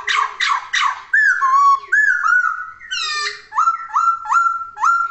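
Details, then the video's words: Laughingthrush singing loudly: three harsh chattering notes open, followed by clear whistled phrases, each a short rising-then-level note repeated about four times in a steady series. "Kicauan Poksay Gacor!"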